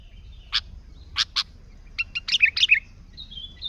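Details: Sooty-headed bulbul singing to lure other bulbuls: a few sharp separated chirps, then a quick run of bubbling warbled notes ending in a thin whistle.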